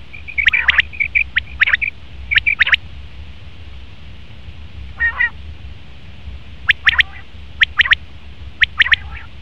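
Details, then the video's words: Male common quail delivering crisp triple-note calls in quick succession, a pause with a faint softer note midway, then further clipped three-syllable phrases; steady low background rumble. "Best Common Quail Male sound/Nar batir ki awaz"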